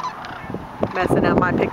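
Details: Among thousands of sandhill cranes feeding in empty corn fields after work, several cranes give a brief burst of rolling, trumpeting calls that overlap in the second half, over a soft low rumble of wind.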